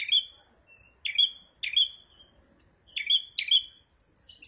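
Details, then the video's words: Singing red prenjak: a run of loud whistled notes, each starting abruptly and trailing off level, spaced roughly half a second to a second apart, ending with thin high squeaks. "kicau prenjak merah / prenjak abang"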